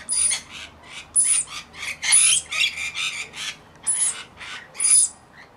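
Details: Rapid run of harsh, buzzy screeches, about two a second, from rainbow lorikeets during bathing and feeding.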